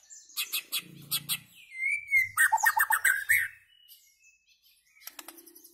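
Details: White-rumped shama singing: quick high ticking notes, a sliding whistle, then a dense burst of rich warbling notes that fades to soft ticks.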